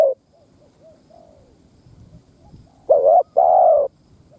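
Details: Spotted dove decoy singing to stimulate other doves. Faint low coos are followed by a loud pair of hollow coos, a short note and then a longer one, over a quiet rural background.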